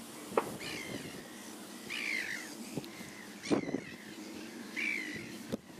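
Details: Bonaparte's gull at Oare Marshes, Kent, UK, in July 2017, giving harsh, nasal, grating calls, about four spaced over six seconds, with a few sharp knocks and low background rumble.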